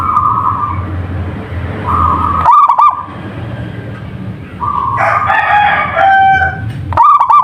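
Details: Local zebra dove gives two rapid, stuttering coo bursts, near the start and at the end. A harsher harmonic crowing-like call from another fowl sounds in between, over steady humming tones.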